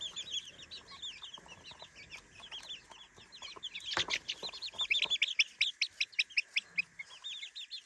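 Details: Several three-week-old chicks in their new daytime playpen, curious and approaching closely: constant high, shrill peeps rising and falling, growing louder and more rapid near the end, with a sharp knock midway.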